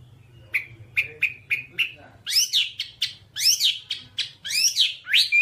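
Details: Whambie song used for mastering pet songbirds: a series of short clipped chirps roughly every quarter second, then louder sweeping slurred notes that rise and fall in quick succession.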